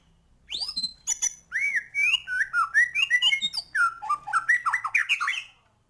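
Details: Energetic white-rumped shama song: a burst of sharp clicks opening into a fast sequence of loud fluted whistles, swooping slides and varied short phrases, ending after about five seconds.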